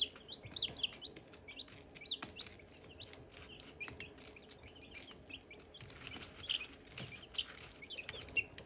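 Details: Silkie chicks, with hatching eggs nearby, give rapid high peeps that rise and fall, sometimes several overlapping in quick bursts, over soft clicking and rustling in the background.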